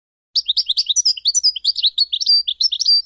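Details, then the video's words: Goldfinch song: a lively run of rapid, tinkling chirps and liquid twitters, varied and continuous for nearly three seconds with brief pure whistles woven in, heard clean without background noise. "Serenading Goldfinches"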